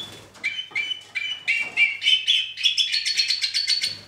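A two-barred crossbill sings a fast run of high chirps and trills, rising in pitch and speeding into a dry buzzy rattle toward the end.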